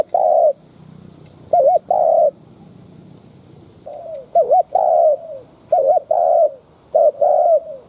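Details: Decoy spotted dove coos to goad wild doves into answering. Low mellow two-note phrases, a quavering note then a drawn-out coo, come in bursts, with a gap of almost two seconds mid-sequence.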